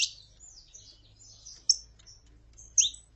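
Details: Saffron finch recording with a female calling and a male singing: a few sparse, very high chirps and short sliding notes spread across three seconds, with two sharper accented notes near the end.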